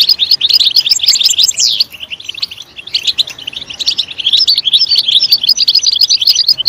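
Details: Loud European goldfinch song for encouraging goldfinches to sing: rapid, sparkling twittering with a quick rising whistle early on, a quieter stretch, then dense chirping again.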